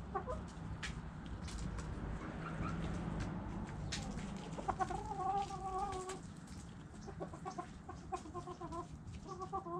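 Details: Hens clucking: irregular clicks and scuffles, then a run of short tonal clucks about a second long, followed by quicker repeated clucking notes toward the end against steady low background noise.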